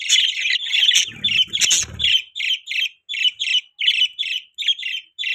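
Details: Budgies giving chirping calls: a steady series of short, squawky high chirps about twice a second, after an opening busy stretch with brief low thuds and a sharp click near the start.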